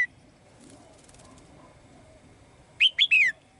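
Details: Caged female bird calling the male with song: after a quiet stretch, one short phrase of three bright, high whistles, the final note sweeping downward, near the end.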